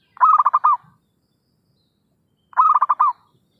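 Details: Zebra dove lure call for trapping, an actively calling bird: two phrases of rapid, pulsed, mellow cooing about 2.5 seconds apart, each a quick stuttering run of notes ending in a longer coo, with silence between.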